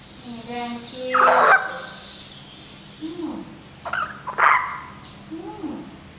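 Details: Pet common hill myna trying hard to talk with its owner, recorded May 2015; harsh speech-like squawks with broad noisy bursts near one and a half and four and a half seconds, separated by lower tonal voice-like sounds, indoor hum beneath.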